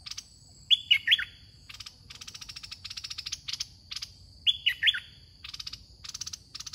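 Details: Red-whiskered bulbul caged as a decoy during a trapping contest, giving the same quick three-note whistled phrase twice, several seconds apart, amid repeated rattling chatter bursts and a constant high-pitched tone.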